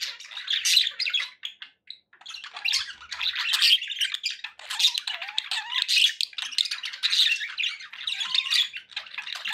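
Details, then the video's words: Indoor pet budgerigars produce a steady stream of scratchy, buzzy warbling with sharp chirps, pausing briefly around two seconds before resuming the busy chatter. "1 hour of budgie sounds"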